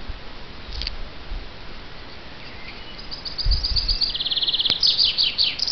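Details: A chaffinch gives its song: a quick string of high repeated notes accelerates and descends into a rattling end phrase, with a sharp click midway and low rumbles earlier.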